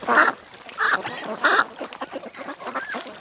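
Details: Three loud, broad quacks spaced about two-thirds of a second apart from ducks at a creek, followed by quieter chatter and a thin rising squeak.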